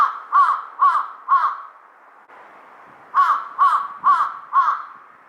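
A Large-billed Crow gives hoarse, nasal caws: three quick ones, a short pause, then four more, about two per second.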